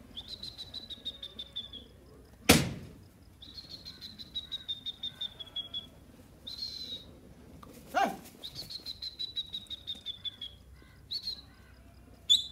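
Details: Young grey francolin chicks at play give long runs of thin, high whistled peeps, each note sliding slightly downward and repeated rapidly, broken by short pauses and two sharp loud knocks.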